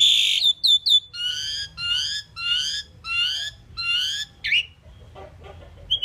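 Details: Indian pied myna known for talking and saying 'Mynah', uttering a loud harsh squeal, then a series of rising, buzzy, harmonic whistled phrases about every half second, ending in softer scratchy notes.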